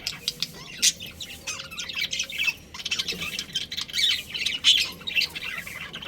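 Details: Pet budgies, a breeding pair, giving rapid high chirps and rasping squawks in uneven bursts over a faint low hum.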